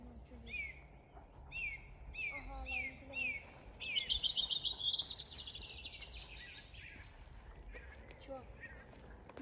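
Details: Bird song at Bornitsky quarry, 1 June 2021: a run of short repeated down-slurred whistles, then a rapid high rattling trill, followed by quieter chirps from other birds.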